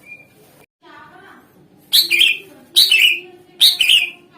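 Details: Greater green leafbird sounding as a lure for other songbirds: a soft thin whistle and a few gentle descending notes, followed by three loud, harsh, downslurred chirps under a second apart.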